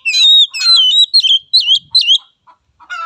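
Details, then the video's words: Oriental magpie-robin song used as a lure to train young and untrained birds: a rapid string of loud, clear whistled phrases that slide and twist up and down, with brief pauses and a softer chattering tail. "Pancingan Kacer Muda dan Bahan|| Latih Mental Kacer Anda"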